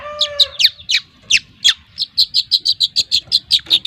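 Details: Long-tailed shrike aged two months, trotol type from Lampung, opening with varied squeaky and scratchy notes, then a fast, even string of short harsh chips repeated about five times a second; a faint whistle sounds at the start.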